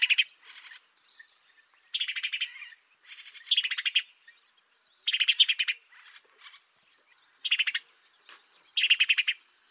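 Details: Sparrow from Africa delivering bursts of rapid, buzzy, rattling chirps, grouped in short clusters about every one to two seconds with softer chatter between them.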